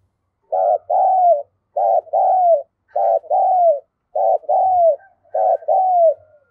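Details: Spotted dove, a bird of the Vietnamese 'giọng thổ' voice style, giving a cooing call and a courting coo: five two-part coos repeated about every second, each a short burst then a longer drawn coo falling at the end.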